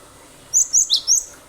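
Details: Cinereous tit in lively 'gacor' song, played as a lure so other birds join in; four quick, piercing high chirps packed into under a second, with a quiet background.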